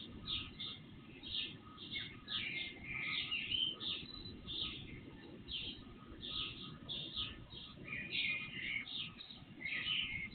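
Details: Chorus of birds singing before dawn, captured by an IP surveillance camera and boosted three times in volume; rapid clustered chirps and twittering trills throughout, constant low background noise and a faint tonal hum.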